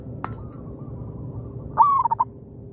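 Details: Local zebra dove calling back and forth with a decoy bird in an oil palm plantation: one clear phrase of a quick rising note and a broken run of mellow coos near the end, after a click and faint distant cooing.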